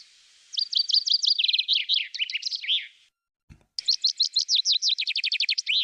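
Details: Two full songs of the common chaffinch (Fringilla coelebs), each a cascade of quick high notes slowing into a descending trill with a terminal flourish, with a short gap between them.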